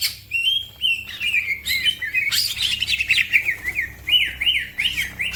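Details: Green leafbird singing fast and energetically, a bird that sets other birds singing too; quick run of chirps and slurred whistles around mid-high pitch, ending in repeated rising-falling notes, with a faint low hum behind.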